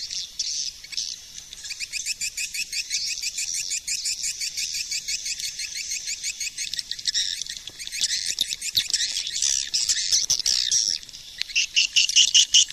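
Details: A continuous high swiftlet chatter from a 2020 lure call, steady rapid chirping that swells into louder, sharper pulses in the final seconds.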